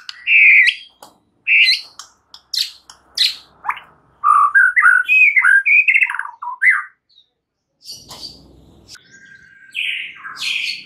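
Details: Champion white-rumped shama singing, a lure recording meant to spur other shamas to sing: varied rich phrases, mid-pitched warbles and sharp high notes with brief pauses, and a faint rumbling noise near the end.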